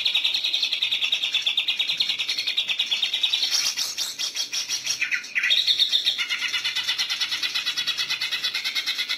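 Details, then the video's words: Caged greater green leafbird being trained for contests in the lively ngentrok song style: a dense, continuous stream of high, rapid twittering and chirping notes, swelling into a louder burst midway and then carrying on without a break. "Cara melatih Cucak hijau gacor ngentrok untuk kontes"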